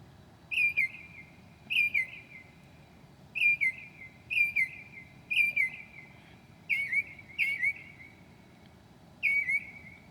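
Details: Northern mockingbird singing in the dead of night, 2 a.m. in July, mimicking other birds: pairs of sharp down-slurred chirps repeated every second or so across ten seconds.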